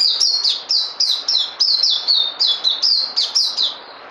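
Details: White-rumped shama kept in captivity singing a rapid run of bright, high whistled notes, each slurring downward, repeated roughly four times a second in a steady chattering series.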